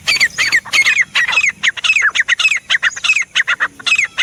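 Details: Grey Francolin (teetar) calling insistently: a dense series of loud, squawking, downward-slurred notes, several each second, continuing without a break.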